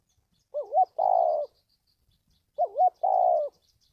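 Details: Spotted dove cooing, a recording played to train decoy birds and lure wild doves for trapping: two phrases two seconds apart, each a quick wavering double note followed by a longer, steady, slightly falling coo, against a quiet background.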